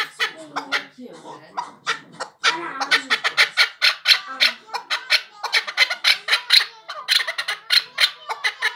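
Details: A male chukar partridge gives a long run of harsh, clucking 'chuk' notes, about three a second, after a few seconds of human voices at the start.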